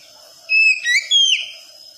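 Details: Young untrained Oriental magpie-robin, played as therapy to make a young bird sing the wikplong style: a short burst of clear, slurred whistles, with steady and gliding notes falling and rising, in a quiet room.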